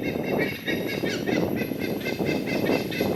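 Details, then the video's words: Noisy chorus of several White-bellied Sea Eagles in a nature park in Singapore, with rapid honking calls repeated roughly every quarter second against a constant low background roar. "Bird Call: WHITE-BELLIED SEA EAGLE's noisy chorus"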